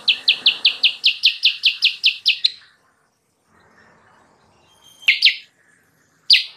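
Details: Sooty-headed bulbul song used to attract wild birds: a fast run of about twelve crisp, evenly spaced chirps, then a silent pause, followed by two separate doubled chirps.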